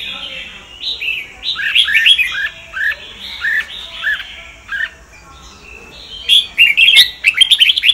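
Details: Sông Kon red-whiskered bulbul song used for voice training. A run of repeated falling whistled notes fills the first five seconds, followed by a quieter gap, then a rapid burst of sharp, high chattering notes.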